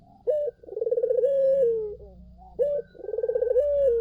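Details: Collared dove song used as a lure to draw other doves into answering: a short clipped note followed by a long, throbbing, pulsing coo that slides gently downward, given twice.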